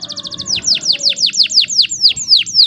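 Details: Canary singing, a lure for teaching young birds: a quick high trill followed by about ten clear descending whistled notes repeated evenly, several per second, with faint low background hum.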